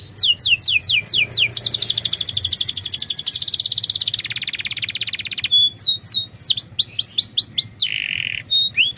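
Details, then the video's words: Canary singing as a lure to get reluctant, quiet canaries, including young ones, to respond: quick downward-swept whistles, then a long rapid buzzy trill, more sweeping whistled notes and a harsh buzzy burst; steady low background hum. "Masteran burung KENARI||Pancingan kenari malas bunyi."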